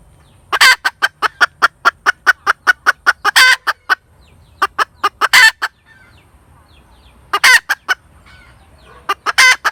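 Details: Cackling hen gives long runs of rapid, evenly spaced clucks, broken now and then by loud, raspy, stretched notes, with short pauses between bouts.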